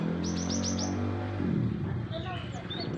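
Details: Young Java sparrow, still showing some green, caught wild and bought: a quick run of five sharp, high chirps, then softer twittering notes, all over a steady low hum and muffled background sounds.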